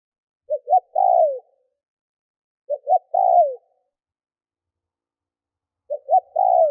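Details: Spotted dove kept as a lure, cooing to excite wild birds: three phrases roughly every 2.7 seconds, each two short low notes leading into a longer mellow coo that slides downward.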